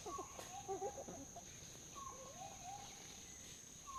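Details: Red junglefowl, wild ancestor of domestic chickens, visiting a bird hide in Kaeng Krachan National Park, Thailand: a few soft low clucks early on, then quiet rising whistled notes over a steady high hiss and faint background rustling.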